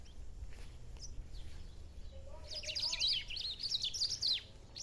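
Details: Black-throated saltator singing in rural nature: a faint note early, then from midway a lively stream of high, rapid, warbled notes, with a soft lower whistle underneath.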